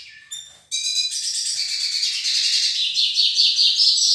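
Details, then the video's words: Hooded siskin couple from the Nordeste: a few clipped notes, then an unbroken stream of rapid, buzzy high twittering with whistled inflections rising toward the end. "Casal pintassilgo do Nordeste"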